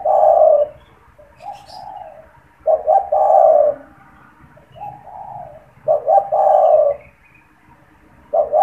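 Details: Constantly calling caged spotted dove, its cooing used to lure and stimulate other doves: loud stuttered coo phrases roughly every three seconds alternating with softer mellow coos, faint chirps in the background.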